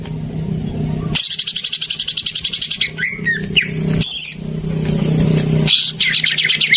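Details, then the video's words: Greater green leafbird song used as a lure to get silent birds singing: rapid buzzy high trills in long bursts with short pauses, plus a few whistled slurs, over a low background hum. "Pancingan burung cucak ijo macet"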